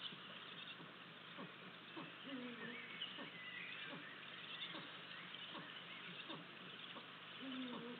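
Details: Eurasian eagle-owl pair at a nest in Estonia, 8 April 2023, as the male brings a vole. Brief low, throaty, downslurred calls mid-way and again at the end, with soft ticking sounds and faint songbirds behind constant hiss.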